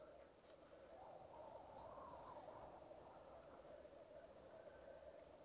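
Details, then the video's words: Male black grouse at a lek bubble and coo in a continuous, dove-like rolling chorus, swelling and fading over several seconds, with a faint hiss of wind beneath. "Black Grouse lek"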